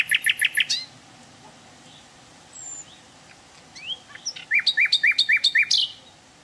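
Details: Wild hill blue flycatcher: the end of a ringing repeated series, a pause with faint thin slurs, then a build-up of rising notes into a fast, even run of bright, high, repeated ringing notes.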